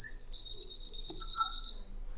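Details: Brewer's Sparrow giving its most common song type, the short song: a fast, dry, high two-part trill lasting under two seconds, the first part slightly higher and quicker before settling a little lower.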